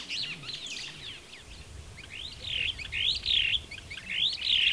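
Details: Superb starling (Lamprotornis superbus) in Kenya giving a chattering run of shrill, swooping whistles and squeaks, high-pitched and irregular, with notes rising and falling in quick succession.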